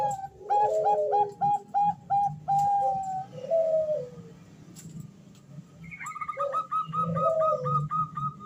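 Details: Bangkok zebra dove female calling a male, with fast repeated staccato coos, then descending rolling coos; afterward a higher, rapid series from another bird and a steady background murmur.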